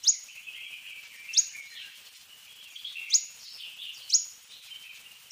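Fork-tailed sunbird giving very high, sharp, thin notes at uneven intervals of one to two seconds, linked by a soft, lower twittering. Faint background hiss.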